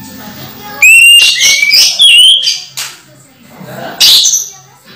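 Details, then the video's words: Orange-headed thrush kept by its owner and in moult, still singing: a few loud, clear whistled phrases, some sliding upward and some falling, separated by short pauses, with faint low background noise. "Anis merah mabung masih teler"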